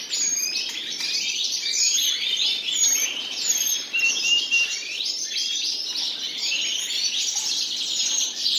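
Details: Two common nightingales sing at length: rich, fast phrases of repeated chirps, whistles and trills that run on continuously, with sharp rhythmic ticking accents and a faint hiss under the song.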